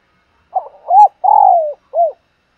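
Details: Decoy spotted dove cooing in the morning: a purring lead-in, an arched hoot, a sustained coo gliding downward, then a brief rounded final note, clean and without background sounds.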